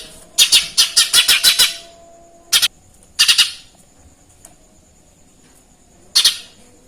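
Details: Lesser green leafbird giving Eurasian tree sparrow mimicry: a quick rattled series of about eight rasping chirps, then single and paired chirps spaced out by longer silences.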